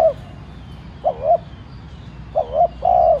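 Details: Decoy spotted dove gently cooing to provoke wild doves to call, in the 'thúc' style. Two full low phrases after a clipped one, a paired short note leading into a longer smooth coo.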